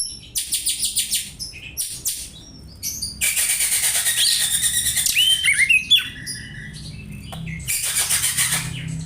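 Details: Oriental magpie-robin (kacer) imitating sparrows (burung gereja), suitable as a tutoring recording: bursts of sharp, high chattering chirps alternate with brief gaps, a dense run of buzzy notes and short whistled slurs, with a low vehicle rumble underneath.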